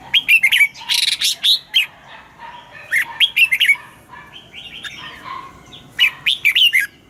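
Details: Red-whiskered bulbul singing its morning double-note song, used to train caged birds: clusters of quick, cheerful chirped phrases come in three bursts separated by brief pauses, with softer background twitters.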